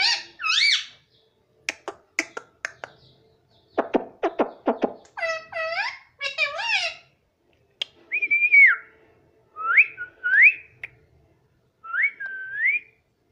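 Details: Pet baby ringneck parakeet talking, taught the word mummy: sharp chirps and clicks, a stuttering series of short notes, two arched harmonic phrases, then three spaced, bent whistled calls with quiet gaps.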